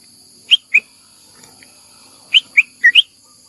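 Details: Bulbul calling for a mate, recorded 28 May 2021: short bright chirped notes in two clusters, a pair of clear notes followed by four quick notes after a pause, over a steady faint high hiss.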